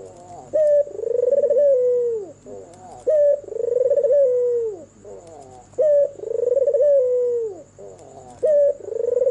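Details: White albino turtle dove with red eyes singing at night, four low rolling coos in steady succession, each with a brief introductory note, a vibrating middle and a drooping finish; quiet background with a faint steady high whine.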